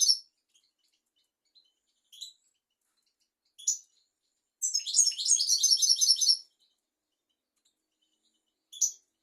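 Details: Tutor song of a European goldfinch for teaching young goldfinches and canaries: brief isolated high chirps spaced a second or two apart, then a two-second rapid tinkling, twittering phrase.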